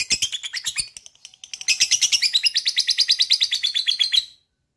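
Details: A lovebird chatters in a long, rapid pulsed trill, beginning with scattered sharp notes and building into a steady run of quick repeated high chirps that stops abruptly, played to provoke other lovebirds to trill.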